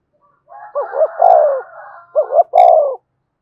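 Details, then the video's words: Two phrases from a spotted dove kept as a decoy to rouse a freshly trapped bird. Each has paired rising hoots and a drawn-out falling coo, over a soft buzzy background hum. "Tiếng chim cu gáy kích bổi nhanh nổi, cu gáy mồi luyện bổi thúc sung nhất hiện nay"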